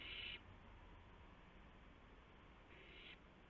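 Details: Owlets and adult owls around midnight on March 19, 2016, during prey deliveries. A loud, rough hissing burst opens the clip, and a softer matching hiss follows about two and a half seconds later, over a low hum.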